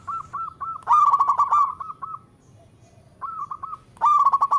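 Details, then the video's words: Local zebra dove calling melodiously in all directions: evenly spaced soft cooing beats lead into a loud rapid bubbling trill, followed by a quiet gap and then more even coos and another loud rippling burst. "Perkutut Lokal gacor suara merdu memanggil Keseluruh Arah"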